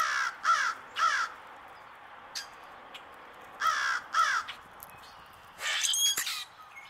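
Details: A male common grackle calling while feeding: short harsh, grating notes given in pairs, two pairs spaced about three seconds apart, then a longer rough burst near the end, with some faint clicks between.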